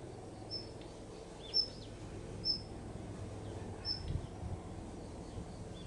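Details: A single Daurian redstart perched on an electric cable over a garden on a sunny October afternoon, giving thin high whistled notes spaced about one second apart, with low background hum.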